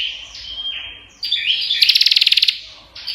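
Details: Prinia song: high sliding chirps and buzzy notes build into a short rapid series of sharp clicking ticks lasting under a second, followed by quieter twitters.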